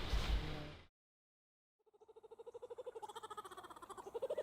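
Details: A Laughing Kookaburra heard on a camping trip gives a rapid run of hoarse, repeated hooting notes that builds steadily in pace and loudness, after a brief burst of rustling noise and a pause.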